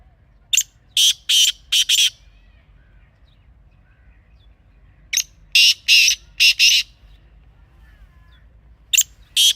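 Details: Black francolin (kala teetar), a wild Pakistani bird recorded outdoors, calling three times: each phrase holds four or five loud, rasping, broadband notes in quick succession, separated by pauses of several seconds.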